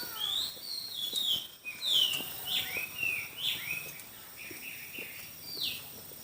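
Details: Chinese hwamei singing in a song contest, a series of clear whistled phrases sliding down and up, irregularly spaced over several seconds against a steady background hiss.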